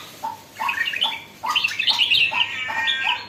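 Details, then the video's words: Red-whiskered bulbul, kept in captivity and becoming lively, gives a few rising notes then a fuller burst of bright, rich warbling. "sora burung jambul baru nak galak"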